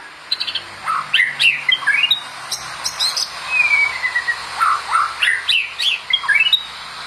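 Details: White-rumped shama from a compilation of songs for training other shamas, giving clicks, quick upslurred whistles and a long falling whistle amid a steady hiss.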